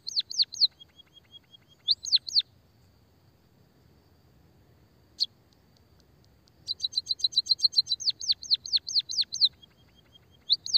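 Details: White-headed munia (emprit kaji) in lively, canary-like rolling song: bursts of sharp high chirps, each note sweeping steeply downward, in quick runs with a lower flat tone between bursts and a long pause midway.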